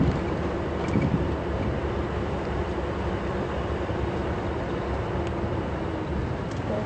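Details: Loud, constant vehicle engine rumble dominates throughout, with no animal calls.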